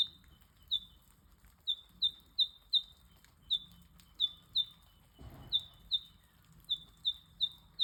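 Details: Two eastern yellow robins in the wild in Australia, chirping: short, high, sharply falling piping notes, about a dozen, given singly or in quick pairs at uneven intervals, with a brief rustling noise near the middle and a faint low background hum.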